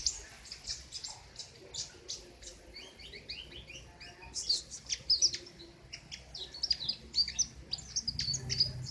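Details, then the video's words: King konin singing in the loud, sharp besetan style: high, dense chirps and short twittering notes, with quick bright flourishes in the middle and later phrases, over a faint low background hum. "Burung "KING KONIN" Trotol Ngerol Abissss Besetan Mantap !!!"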